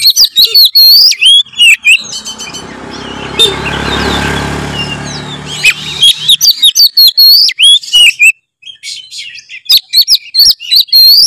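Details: White-rumped shama song used as a lure to trigger other birds into singing: bursts of loud whistles and sharp chirps at the start and end, with a broad rushing noise in the middle.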